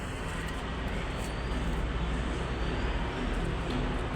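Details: Steady, loud roar of road traffic and passing vehicles, a broad low rumble with no clear animal voice.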